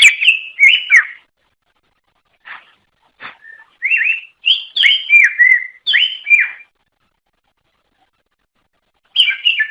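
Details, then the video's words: Greater green leafbird song used to lure others of its kind, a species of Java, Sumatra and Kalimantan in Indonesia: clear whistled phrases with slurred falling notes, given in bursts separated by short pauses and a long silence. "Suara Kicau Burung Cucak Ijo Durasi Panjang Untuk Memikat | Long Duration Cucak Ijo Birds Chirping"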